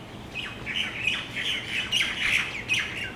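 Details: At dusk on Maui in the Central Pacific, tropical birds roosting in exotic trees and palms fill the air with rapid, overlapping squeaky chirps and short squawks that come in bursts.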